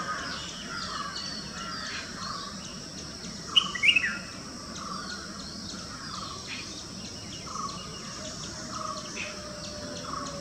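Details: One loud, sharp chirping burst from a red-whiskered bulbul just before the four-second mark, surrounded by soft repeated chirps of other birds and an insect-like background hum.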